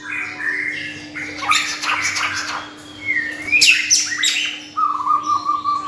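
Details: Bird kept in a cage, singing varied whistles and rapid chattering notes, some sweeping upward, ending in a short run of repeated even notes, over a constant low hum.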